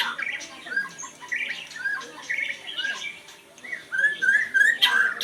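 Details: Oriental Magpie-Robin giving a varied run of clear whistled notes, some slurred up and down, mixed with short harsh chirps. Phrases come in bursts about every second, growing louder toward the end.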